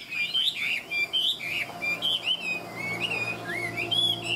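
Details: Tame Chinese hwamei of the five-part "ngũ trường" song style, described as a good fighter, singing loud whistled phrases that swoop up and down in quick succession, with a steady low hum behind.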